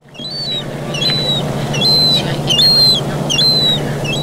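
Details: Young gull being fed in the town of Vannes, Brittany, France, on 17 August 2022: repeated thin, high, drawn-out whistled whines at roughly one-second intervals, with short sharper notes, over a steady low urban hum.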